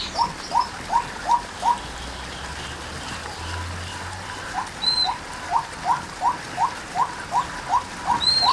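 A White-breasted waterhen gives short, rising, hollow notes, about three a second, in two runs with a pause between. A thin, high whistle from another bird is heard twice.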